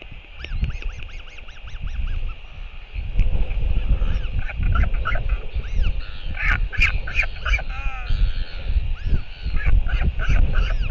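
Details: Royal albatross, adult male returning to feed its chick in New Zealand, 7:58 pm, 28 March 2023: quick strings of arched nasal notes, then louder clattering bursts and more calls amid constant wind noise.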